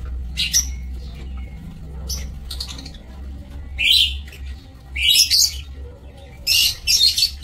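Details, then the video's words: Aviary lovebirds recorded on 27 March 2024: sparse high chirps early, then loud bursts of harsh, screechy calling at intervals of roughly a second, with low mechanical hum throughout. "Aviary Lovebirds"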